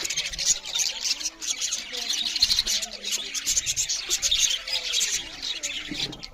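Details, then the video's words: Several budgerigars chirping loud while eating; dense, continuous buzzy high chatter with rapid flickering notes and faint curving lower whistles beneath. "Beautiful Budgerigars parrots Chariping loud with Something Budgerigars Eating"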